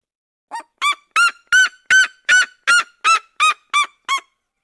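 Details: Red-legged seriema of the Brazilian cerrado giving loud, harsh yelps in a steady series, about three per second, rising in pitch and volume over the first notes then holding level; no other sounds.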